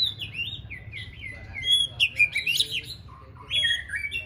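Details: White-rumped shama in solo song training for a singing contest: a string of clear, sliding whistles stepping downward, then a burst of quick mixed notes and high pure tones, followed by more falling whistled phrases over a low steady hum.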